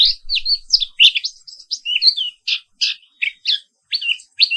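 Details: Black-capped white-eye (Zosterops atricapilla) singing in the morning: a varied string of high chirps and short warbled notes, about one per second, loud and clean with no other sounds.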